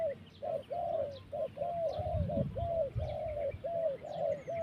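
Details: Turtle dove cooing in quick succession, short rounded notes at steady mid pitch delivered over two a second, thin twittering of other birds above and a brief low thud partway through.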